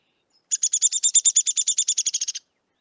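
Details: Downy Woodpecker rattle call played for comparison with the Hairy Woodpecker in a Manitoba winter birding guide. About nineteen sharp, high, squeaky notes run quickly for two seconds, slowly dropping in pitch toward the end. The background is clean.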